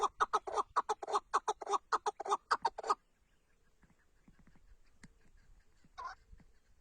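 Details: Tatar chukar partridge gives a quick volley of harsh clucking chuk notes for about three seconds, then near silence with one faint later note.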